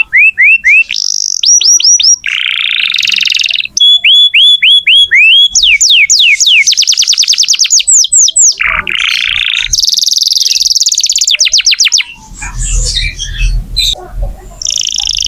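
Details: Canary in full song, used to encourage young canaries or non-singing birds to sing. Upswept whistles come in rapid series between buzzy rolls and a high trill, ending in a scratchy noisy passage.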